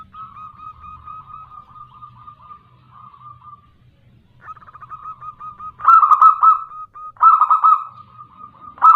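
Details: Local female zebra dove calling to a male, used as a lure to draw responses. A long run of soft rapid coos and a pause, then louder burry rolling coo bursts at intervals.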